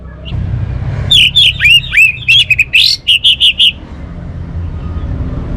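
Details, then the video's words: Orange-headed thrush singing a quick run of roughly a dozen bright, slurred whistled notes, rising and falling, framed by quiet low background noise. "suara burung Anis Merah"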